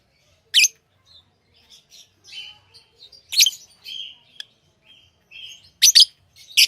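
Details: Caged pet lovebirds chirping, loud shrill chirps every second or two separated by soft high twittering and brief whistles.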